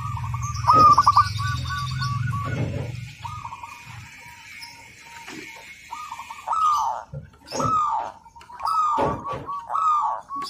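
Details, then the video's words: Local zebra dove singing persistently, meant as a training master: several rolling coo phrases of stuttering notes at steady pitch. High chattering from other birds and a steady thin whine are heard early, with low rumble and clicks throughout. "Perkutut Lokal Gacor, Masteran"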